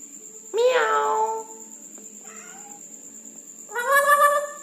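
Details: Red-breasted parakeet at night uttering two drawn-out, nasal, harmonic squawks with a softer call between them, over a steady high-pitched hum.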